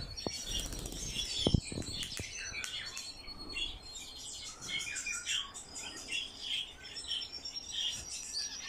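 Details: Captive Eurasian golden orioles during play with their keeper. Bright, high chirps and short warbled notes repeat throughout, with a few sharp clicks near the start.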